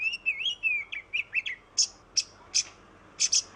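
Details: Oriental magpie-robin singing, used to coax other birds into song: wavering clear whistles sliding up and down, short chirps, then spaced sharp buzzy notes.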